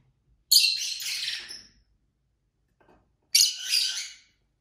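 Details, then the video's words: Two long, raspy, screeching chirp bursts from pet lovebirds kept together indoors, each just over a second, with quiet between them. "Lovebird Craziness (singing & chirping & fighting sounds)"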